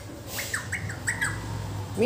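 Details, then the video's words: Pet talking Alexandrine parakeet, known locally as a pahadi parrot, giving a run of about six short, harsh squawks with sharp rising-falling notes; a low steady hum and faint voices sit underneath. "Talking Parrot | Bolne wala tota | Pahadi Parrot"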